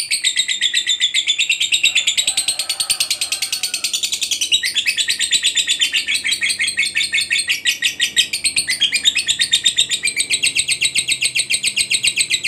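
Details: Fighter lovebird in a long ngekek, a chatter used as therapy to make silent lovebirds sing: a dense, shrill, buzzing stream of rapid pulses running without pause, with a faint lower sound in the background early on.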